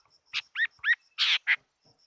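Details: Fighting-type Chinese hwamei giving a short burst of clipped notes: a buzzy note, two quick rising-falling whistles, then a harsh raspy note and a final brief call.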